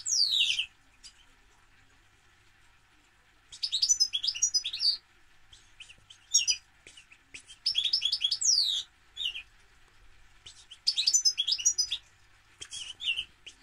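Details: European goldfinch pouring out repeated phrases of high, cheerful twittering with wiry down-slurred notes and scratchy buzzes, each burst lasting one to two seconds, separated by quiet pauses.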